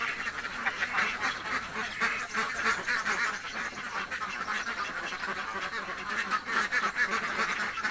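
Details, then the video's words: Hungry ducks in a village raise a dense, continuous chorus of nasal quacks, many birds calling over one another at a rapid, uneven rate with no pauses. "duck quack hungry sound effects"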